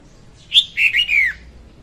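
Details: Female red-whiskered bulbul singing for use as a trapping lure: a single clear phrase, a sharp upward note and then a run of slurred whistles that drops in pitch at the end.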